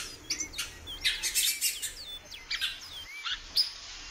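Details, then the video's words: Female great-billed seed-finch kept in captivity, calling: a few short, clear whistled slurs among soft rustling bursts over a steady background hiss. "FÊMEA DE BICUDO PIANDO MUITO"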